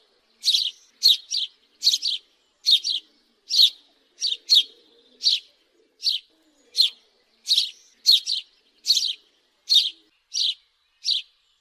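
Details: Long sequence of house sparrow chirps, short rasping notes singly and in quick pairs, repeated more than once a second for the whole stretch.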